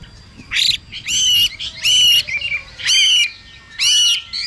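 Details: Female Chinese hwamei giving harsh hissing calls to stimulate a male to sing: loud rasping bursts about a second long, roughly every second, with softer chattering notes between.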